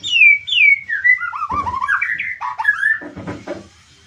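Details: White-rumped shama described as being in excessive breeding condition. It sings loud, clear whistled phrases that slide downward and then rise and fall in a varied series, ending with a brief rough chatter.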